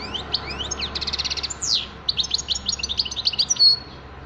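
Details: European goldfinch in full song: sweeping slurred notes, a fast buzzy trill and a downward swoop, followed by a lively stream of tinkling twitters.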